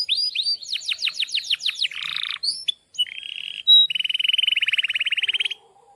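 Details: Breeding-condition canary singing a vigorous long rolling song, locally called ngerol. It opens with quick descending chirps, then shifts to buzzy rattles and a sustained, very fast rolling trill lasting over a second, ending abruptly.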